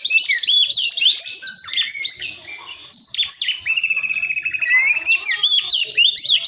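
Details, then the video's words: Caged young White-rumped shama from the West Java forest practising song: dense, loud sequence of sharp whistles, rapid trills and scratchy chattering notes, phrases changing every second or so. "KACER PRIANGAN BAHAN BELAJAR NGEMPLONG"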